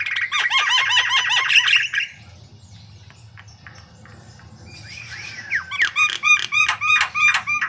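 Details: White-vented myna (jalak kebo) in lively, chatty song: a two-second burst of rapid, harsh, repeated notes, a quiet pause, then a second burst with rising whistled notes.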